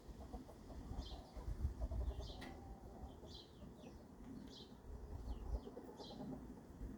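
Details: Dresden chicks peep with thin, high, short downward notes, repeated irregularly about once a second, over a steady low rumbling background and a single sharp click.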